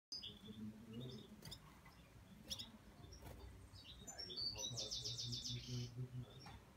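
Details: Red-fronted serin (Serinus pusillus) giving high, scattered chirps, then a fast buzzy jingling trill, over a low hum and faint murmur of voices.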